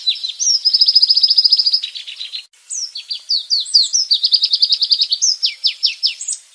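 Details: A white-rumped shama sings a rapid-fire training song, firing off fast volleys of high, sharp repeated notes, several per second, stepping up and down in pitch, with one brief break.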